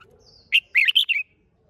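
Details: Red-whiskered bulbul song used to stir other bulbuls into fierce singing: one short, loud phrase of about five bright, warbled notes that rise and fall, delivered within under a second against quiet background.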